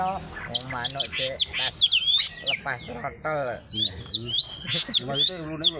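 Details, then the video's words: Greater green leafbird from Alas Purwo in Banyuwangi, a fighter singing a harsh trok-bul song with tail opened, delivers a dense, varied stream of buzzy notes, twangy slurs and bright high whistles without pause. "ORIGINAL ALASPURWO BANYUWANGI,POWER FIHGTER MENTAL BAJA,NGENTROK NJAMBUL GAK ADA ABISNYA"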